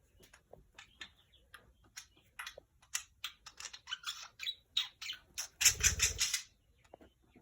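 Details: An excited male pet budgerigar that cannot sit still chatters in the morning in rapid, scratchy chirps and squawks, with a brief burst of louder noise; he is known to say the phrase "put your hands up".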